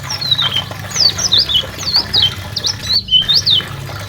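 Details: High twittering white-eye song from national champion kecial lombok and kecial karimun used as tutor material: a busy string of short looping whistled notes, rising and dipping, broken by one brief silent gap, a low hum underneath.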